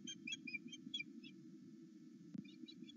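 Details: An osprey on a Loch Arkaig nest, calling excitedly as its mate returns in the morning: uneven shrill whistled chirps in quick succession, a brief thud, then more chirps, over low constant rumble.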